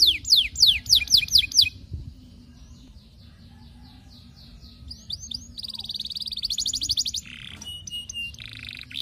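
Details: Canary singing long and vigorously while courting a female, used as a lure to make other canaries sing: rapid series of steep descending whistles, a pause, then buzzy rolled trills and high sustained notes.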